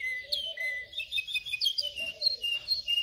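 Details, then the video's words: Canary song for singing training: rapid whistled notes and chirps mixed with a brief flat tone, steady and busy throughout, low burbling notes beneath. "Canary training 0.25 Hour canario canary song"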